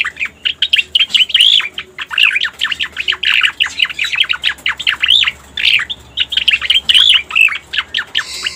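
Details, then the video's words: Pied bushchat (cica koreng) lure recording used for trapping, with dense, rapid chattering of short, sharp notes and brief upslurred whistles, repeated in quick bursts with short pauses between. "Suara Pikat Burung Cica Koreng | Masteran Cucak Koreng Full Ampuh"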